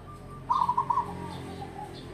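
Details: Cooing of an old local wild-caught zebra dove in long-term keeping: a single quick phrase of four or five rolling pulses, ending in a softer trailing note, over steady low hum.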